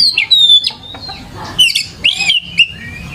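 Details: Oriental magpie-robin song used as a lure to make other magpie-robins answer and sing; loud, varied whistled phrases with sweeping, slurred notes and sharp chips, broken by short pauses.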